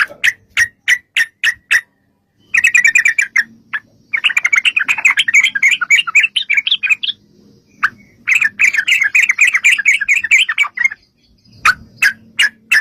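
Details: Sooty-headed bulbul lure song in 'ropel panjang' style: spaced sharp notes open into long, fast runs of bubbly warbling, then separate notes return, with faint low hum underneath.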